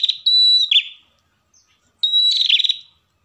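A pair of ashy tailorbirds sings two bursts about a second long. Each opens with a piercing high whistle and breaks into rapid, stuttering high trills.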